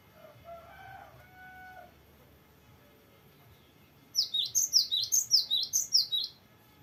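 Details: Varied rolling song of a gelatik batu, or cinereous tit: after a faint low warble and quiet, a rapid chain of about ten bright, high, sharply repeated notes.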